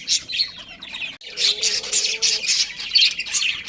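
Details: Breeding pair of pet budgerigars kept at home, giving rapid scratchy chirps and squawks in bursts, with a brief lower hum in the middle.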